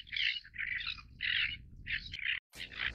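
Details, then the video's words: Greater crested tern uttering a few short, harsh, grating calls in quick succession, about four rasping notes, then a brief break and another call. "大鳳頭燕鷗(鳳頭燕鷗)/Great Crested Tern"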